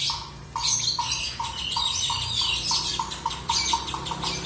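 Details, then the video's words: Ngekek-style song from a kept lovebird: high scratchy chatter over a row of short, lower clipped notes repeated about three times a second, speeding up toward the end. "LB MIAR NGEKEK 2 MENIT"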